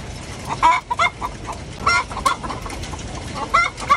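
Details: Hen cackling after laying an egg, a run of sharp repeated clucks with a few louder rising notes, close and clear over low background noise.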